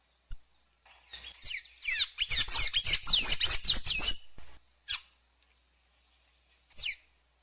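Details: Sayaca tanager singing a fast, squeaky run of high slurred and twittering notes for about three seconds, then two short isolated high notes after pauses; faint low thumps underneath.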